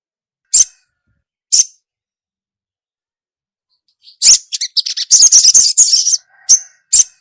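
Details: A female ruby-cheeked sunbird calls to the male: two isolated high chips a second apart, a long silence, then an excited burst of buzzy twittering and two final chips.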